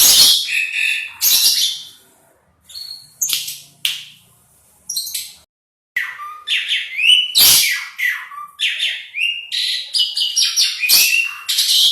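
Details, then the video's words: Asian pied starling in full song, varied phrases of harsh rasping notes, sharp clicks and falling whistles, broken by short silences early on, then a dense unbroken chattering sequence toward the end. "Burung Jalak Suren Gacor Gacor"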